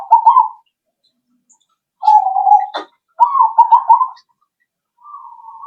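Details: Zebra dove coos meant to make birds answer: short trilled coo, a smoother drawn-out coo, then a rolling phrase and a faint final note, with a brief click in between.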